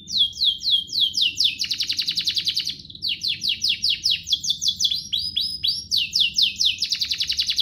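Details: Ornate song of a domestic canary, used as a tutor for juveniles and to encourage singing: continuous high rapid note sweeps and buzzy trills, phrases changing every second or two, with a short dip near three seconds.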